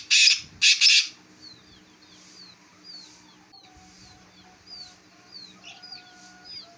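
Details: Black francolin, a local desi bird from Jhang, gives three loud, harsh, grating bursts in quick succession in the first second. Faint thin chirps from small birds and a low steady hum continue afterwards.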